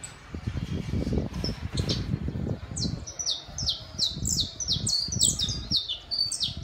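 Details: City saffron finch: after a few seconds of low rumbling noise, a dense, rapid string of high, downward-slurred chips starts and continues to the end.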